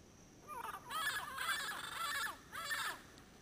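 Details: A pair of highly endangered wild Yellow-headed Parrots calls from Caribbean pines at sunset near a ranger station in Payne's Creek National Park, Toledo District, Belize, in late January 2012. The calls are harsh, raucous and rasping, given in three drawn-out bursts.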